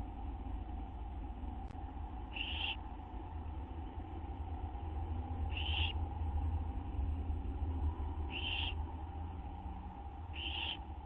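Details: Owls at a nest just after midnight on 6 September 2011, around a food delivery: four short, harsh hissing bursts about three seconds apart over a steady low hum.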